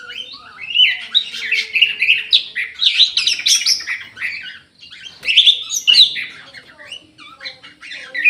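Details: Orange-headed thrush housed in an aviary, singing energetically: a continuous, rapid stream of varied chattering and whistled notes, rich and tumbling, pausing briefly midway before resuming in a flurry of bright phrases.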